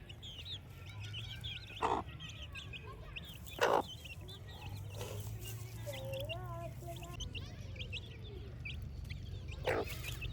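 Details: Baby chicks at play, peeping steadily in high, short, upward-flicking chirps throughout, with a lower wavering tone near the middle, a few loud knocks or thumps, and a constant low hum beneath.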